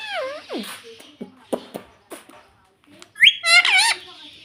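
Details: Pet ringneck parrot making a falling whistled note, a series of soft clicks and short notes, then a loud harsh wavering screech near the end.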